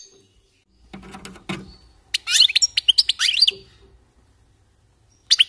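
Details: Warming-up goldfinches: after a low muffled rustle, a burst of rapid, bright twittering with slurred rising and falling notes, then a short chirp at the end.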